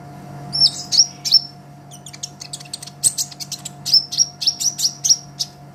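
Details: Sunbird master song for training songbirds: sharp high slurred notes, then a dense twittering stretch and a fast series of repeated piercing chirps roughly three per second, over faint hum.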